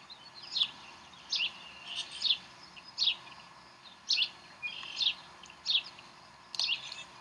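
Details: Decorah Bald Eagle nest on 11 April 2012, with chicks being served brunch. Sharp, high, downward-sweeping chirps repeat roughly every second, some doubled, above a constant faint hiss.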